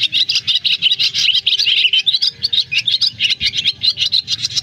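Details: Swiftlet flock-calling recording (black and white-bellied swiftlets) used to lure birds to roost: a dense, continuous stream of high, rapid twittering chirps, pulsing several times a second, over a faint low hum.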